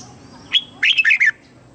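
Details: Lure bird red-whiskered bulbul singing to provoke wild birds into fighting: a single chirp, then a rapid, rollicking phrase of bright warbled notes dropping slightly at the end.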